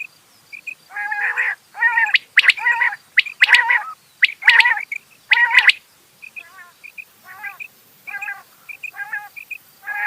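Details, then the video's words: Rain quail delivering repeated buzzy harmonic calls with sharp high clicks layered over the middle section, fading into softer calls alternating with paired high notes. "Rain Quail Sounds bedana sayrashi bedana ovozi Batair Ki Awaz بٹیر چنکہ کی آواز"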